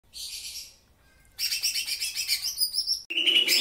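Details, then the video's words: Greater green leafbird in lively full song with lovebird-style phrases: a brief high buzzy burst, a pause, then a dense, loud run of rapid chattering, trilling notes, and a harsher buzzy phrase at the end. "cucak ijo gacor isian Lovbird"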